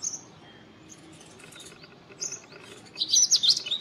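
An Indian robin gives thin, high whistled notes, then a quick burst of sweet, chirping song near the end, over a quiet outdoor hush.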